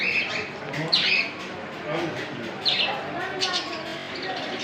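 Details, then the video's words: Small Australian parrots giving short, bright squawks and chirps every second or so over a softer running chatter and a low murmur. "Amazing Australian Parrot's video // Little beautiful birds talking"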